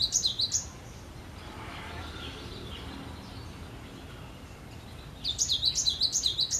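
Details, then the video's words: Cinereous tit in song: a brief burst of high, bouncing notes at the start, a long quiet stretch with faint hiss, then another rapid run of sharp, alternating whistles at the end. "Suara Merdu Gelatik Batu Gacor"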